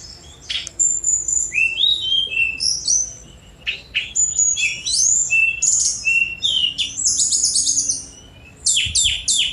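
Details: Sunda robin pouring out a fast, nearly continuous high song of sweet whistles, slurred rising and falling notes and dense twittering runs, with a short pause before a final burst of sharp notes.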